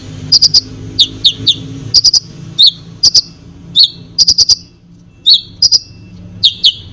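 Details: A konin sings to stir other birds: high, clipped chirps grouped in twos and threes, with occasional falling slurred notes, repeated irregularly about every half second to second.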